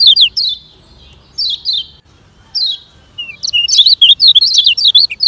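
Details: Training song of a lemon-bellied white-eye, fast 'ngejoss' style, used to speed up slow singers. Widely spaced high downslurred notes come first, building into a dense, rapid, high-pitched chatter at the end.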